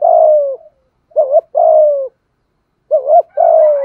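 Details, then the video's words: Spotted dove of Malaysian stock cooing in 'thúc gù' style: long mellow falling coos alternating with short, two-peaked wavering notes, about three long coos in quick succession, clean quiet background. "Tiếng chim cu gáy thúc gù, cu gáy malaisia gù thúc bài bản, chim cu gáy thúc gù bài bản"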